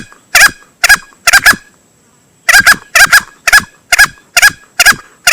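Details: Hunting lure of a male green junglefowl: three harsh, short bursts, a silent pause of about a second, then a steady run of similar rasping bursts, some doubled, over a faint high whine.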